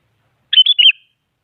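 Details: A single brief song phrase from a very active sooty-headed bulbul meant to prompt rivals to sing: three quick, bright, slurred whistled notes in under half a second, clean and clear.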